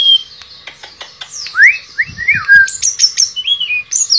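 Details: Tledekan pring shortwing singing in the style called nembak and ngerol: fast mix of sharp chips, rising and falling whistled slurs, and high clear notes in quick succession.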